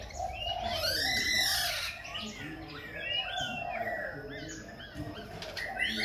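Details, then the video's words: Khe Sanh laughingthrush singing and dancing, switching voices continuously: loud, varied whistled phrases with rising and falling slurs over a hissy, noisy background. "Khướu Khe Sanh hót múa đảo giọng liên tục"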